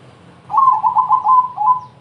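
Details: Crossbred zebra dove in full song, used to lure other doves into singing: one quick run of about ten clipped, mellow cooing notes, pulsing evenly with slight pitch dips, over a low background hum.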